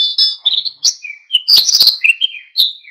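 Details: Oriental white-eye (pleci) in vigorous song, used to provoke other birds into singing; dense run of high twittering, sliding and trilled notes with brief clicks, continuous across the whole stretch.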